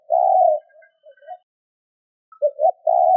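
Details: Spotted dove, a caged lure bird, cooing: a low hollow coo around half a second long, a pause, then soft broken notes and two more coos, with no other sounds heard.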